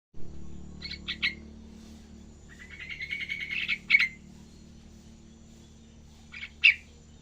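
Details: Young yellow-vented bulbul learning to sing: short chattering bursts of bright notes, then a longer buzzy, fluttering phrase and a final sharp double note, over a steady low hum.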